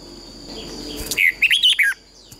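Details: A short, clear warbled phrase of four or five slurred whistles from a red-whiskered bulbul singing in duel style (hót đấu), used as a lure to make birds sing. Faint background hiss comes before it.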